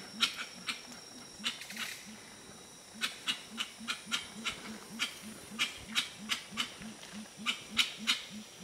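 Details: Gray-winged trumpeters in the Ecuadorian Amazon at Tiputini Biodiversity Station give a steady stream of deep, muffled hoots, roughly three per second, broken by a brief pause, while crisp high clicks and a thin insect drone run through the forest.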